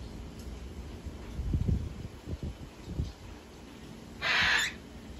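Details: Young hand-raised cockatiels, almost fully weaned and on one feeding a day, give a brief, harsh, breathy hiss after some low thumping and handling noises.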